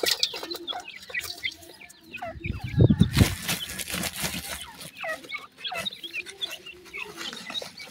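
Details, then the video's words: Baby pheasant chicks eating new food, giving many short, high chirping peeps that overlap in quick succession throughout, with a loud rustling, scraping burst near the middle and low background rumble. "baby pheasant is very happy with the new food today,teter baby"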